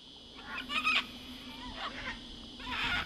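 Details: Sulphur-crested cockatoo in Australia, known for noisy behaviour: three harsh, rasping broadband screeches, the loudest near the first second, then two shorter ones spaced about a second apart over a steady low hum.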